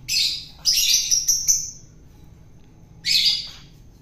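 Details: Long-tailed shrike caught wild and being fed for taming: a rough, buzzy squawk, then a stuttering run of scratchy notes, a pause, and another harsh burst.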